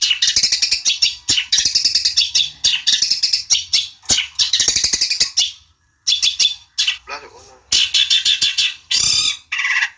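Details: Long-tailed shrike song played as a lure to provoke a rival into answering: loud, harsh, buzzy chattering phrases in rapid bursts separated by short pauses, with a lower nasal rasping phrase near the end.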